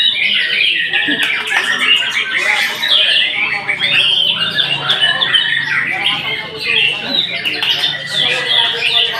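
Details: White-rumped shama pouring out a busy mix of harsh squawky notes, chirps and short whistles in a continuous, varied flow.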